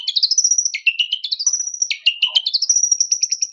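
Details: Long-tailed shrike (cendet, pentet) giving a provocation song. Rapid, varied chatter of high ascending twitters, dropping notes and thin sustained whistles, delivered in quick bursts without pause.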